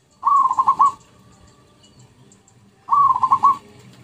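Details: Zebra dove cooing used to lure birds: two clear phrases about two and a half seconds apart, each a rising coo running into four or five rapid bubbling notes.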